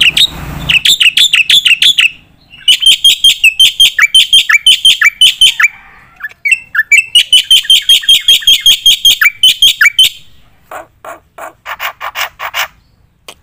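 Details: Black-winged myna in full vigorous song, recorded as tutor material for competition birds: fast rows of loud harsh chattering notes, repeated almost three times a second, broken by short pauses and ending in softer clipped notes.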